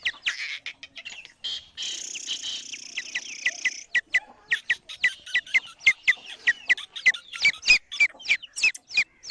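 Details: Female black francolin calling to attract males: a long run of sharp, squeaky clipped notes, roughly three a second, with a steady hissing noise in the background for a couple of seconds near the start.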